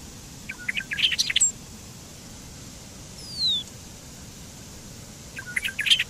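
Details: Bobolink singing in two short bursts of bubbly, tinkling notes at the start and end, separated by a pause with a single thin, descending whistle and low background noise.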